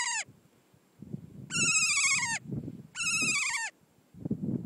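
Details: A kea, the alpine parrot of New Zealand, gives loud, nasal, drawn-out screeches, each about a second long and sagging slightly in pitch, repeated three times over a low rumbling background.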